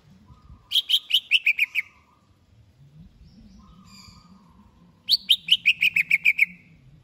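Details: Greater green leafbird readied for a singing contest repeats a rapid string of about nine sharp descending notes twice, with a soft level whistle and faint background hum between the phrases.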